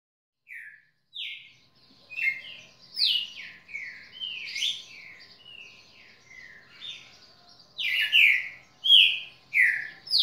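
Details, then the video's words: Red-cowled cardinal kept as a tutor bird, singing a varied phrase of short whistled slurred notes, some rising and some falling, delivered about every second and growing louder toward the end. "Galo-de-campina professor"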